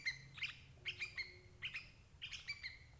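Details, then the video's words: Lure recording of a sooty-headed bulbul for catching adult birds: sharp chirps in pairs and triplets, spaced about half a second apart, with a brief faint steady low tone in the middle. "suara burung crucuk ampuh jebak indukan"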